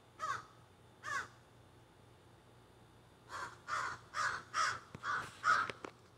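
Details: Crows that flew into backyard trees, squawking, recorded on a cell phone: two spaced harsh caws, a pause, then a rapid string of six raspy caws building in loudness, with faint clicks.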